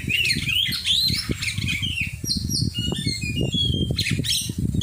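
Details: Oriental magpie-robin during song training, mixing looping whistles with harsher squawky notes and fast descending slurs, set against constant low knocking and rustling noise.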